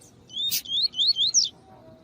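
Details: A female Double-collared Seedeater, used to warm up males for song training, gives a quick series of high, thin, rising slurred whistles, about five notes in one second, after a brief click.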